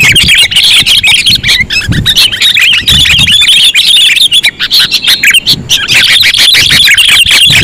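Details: Sooty-headed bulbul lure call: continuous, busy high chirping and twittering notes with short pauses and faint low rumbling underneath.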